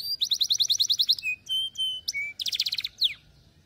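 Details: Canary song used to train and stimulate young canaries to sing: fast, evenly spaced high trill, then short whistled notes at steady pitch, a second rapid trill and a sharp downslurred note, loud against a quiet low background hum.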